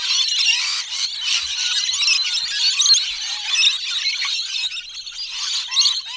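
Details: Rainbow lorikeet (Trichoglossus moluccanus) in a busy flock, heard from medium close-up to background: a dense, continuous chatter of shrill, tinkling, musical screeches and squawks that overlap without pause.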